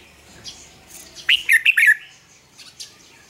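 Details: Red-whiskered bulbul, a captive bird sung as a lure for training other birds to sing in the morning; one quick burst of bright, slurred, warbling notes near the middle, with faint chirps before and after in a quiet room.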